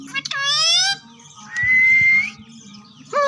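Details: Green parrots mimicking "Mian Mitho Chori Khao gy": a bright, voice-like syllable, then a long, level whistled note rising slightly, and a final short nasal syllable over a faint hum.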